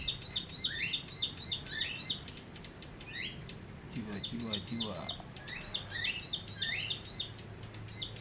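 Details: Caged Bar-winged Prinia, newly caught three weeks ago, sings bursts of rapid, high chipping notes with rising slurs, pausing midway while a lower voice-like sound is heard, then resumes the fast chips.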